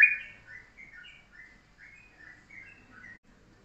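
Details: Short, tight 'pendek rapet' morning song of a yellow-vented bulbul, used as a master song for training birds: a loud opening note followed by a steady string of soft, bubbly whistled phrases.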